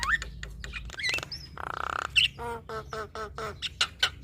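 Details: Song of a female Javan myna used to coax other starlings. Short whistles and a half-second nasal buzz are followed by a run of repeated stacked, harsh notes, then sharp squawks.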